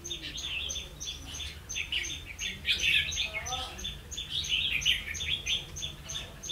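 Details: Red-whiskered bulbul used to lure birds into a trap, 16 October 2016: bright chattering phrases in bursts, with a short lower whistled slur midway and a rhythmic high ticking behind.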